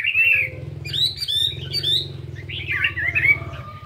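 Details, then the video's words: Chinese hwamei, a 72-gram fighting bird, practising its voice in the morning: bright warbled phrases near the top of the range, with pauses between bursts, over a steady low mechanical hum. "Tiếng Chim Hoạ Mi Chiến 72gam Hót Đảo Giọng Rất Hay"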